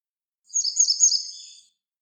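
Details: Song of a grey wagtail: one bright, high phrase of jumbled, rapidly repeated notes lasting just over a second, then trailing off softly.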